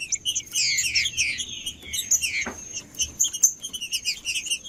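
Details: Green-winged saltator song, used to warm up a quiet captive bird: dense bursts of chirpy, slurred high whistles tumbling over one another, with a steady thin high tone running throughout.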